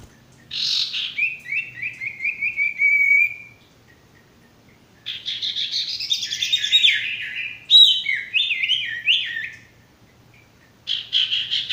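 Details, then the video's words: Male sirtu, a bird singing as a master recording for training stressed or non-singing birds: high chirping phrases in bursts, a run of short descending slurred notes, then a rapid varied warble separated by brief pauses. "masteran burung sirtu bakalan maupun stres macet"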